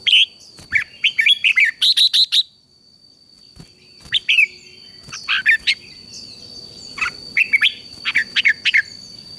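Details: Red-whiskered bulbul song for coaxing a wild-caught bird to sing. A long run of rapid bubbling notes opens the recording, then sparser sharp chirps and short warbled phrases follow over a steady high tone.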